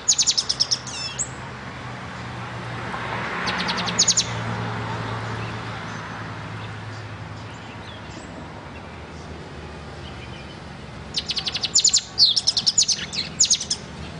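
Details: Singing from a black and white, silver-beaked pet bird. Short runs of high, rapid ticking chirps open the recording, then a long hushed stretch with low hum follows. A final lively series of sharp, twittering notes ends it.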